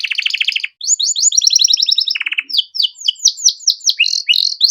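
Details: Canary song for tutoring young cage birds: varied rapid rattling trills at several pitches, a brief lower buzzy burst, then a series of bright sweeping whistled phrases.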